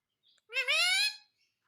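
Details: Pet parrot giving one short, rising, harmonic-rich squawk lasting under a second, loud against an otherwise quiet room.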